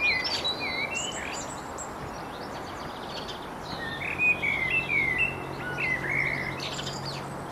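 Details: Garden songbirds at Bedhampton Railway Station, possibly sparrows, goldfinch and robin among others, giving clear whistled slurred notes and thin high twitters amid constant background rumble.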